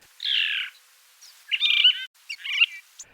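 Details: Phainopepla, a common spring backyard bird in Arizona's deserts, sings three short, slightly burry, high warbled phrases, each under a second, separated by brief pauses; males often sing from mesquite and desert mistletoe tops.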